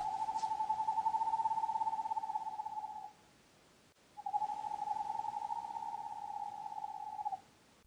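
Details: An Eastern Screech Owl gives its tremolo, which is used for communication between a pair or with family members: two long, even trills on one mid pitch, each about three seconds, separated by a brief pause.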